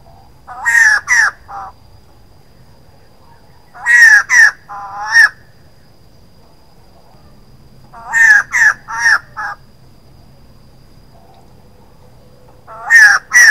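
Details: A female white-crested laughingthrush giving harsh, nasal, wavering notes in bursts of three or four, roughly every four seconds, against a quiet background.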